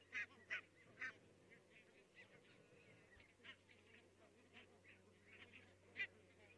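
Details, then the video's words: Many Barnacle geese call in the distance in Estonia on 22 October 2017, giving short, high, yapping barks, with a few louder calls standing out over a steady chatter of fainter ones. "Many Barncle geese are calling in the distance"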